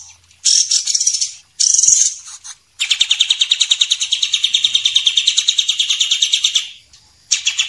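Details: Champion white-rumped shama and a speckled juvenile, kept as songbirds, in a masteran tutoring recording: loud bursts of high whistled notes, then a long fast buzzy trill of evenly repeated notes lasting about four seconds, ending with another short burst.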